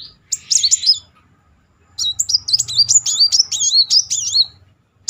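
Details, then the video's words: Lively brown-throated sunbird song played as a lure to stir a quiet bird to sing: a short high chirp cluster, a pause, then a long fast rolling string of sharp, looping warbled notes. "Kolibri Muncang gacor ngeroll || pancingan terapi memancing emosi Muncang macet"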